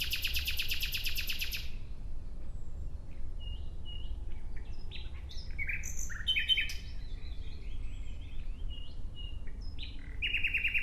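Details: Nightingale song opening with a loud dry buzzy rattle, followed by a pause and then scattered varied notes: short whistles, clicks and chirps, ending on a sustained buzzy phrase. A low background hum runs throughout.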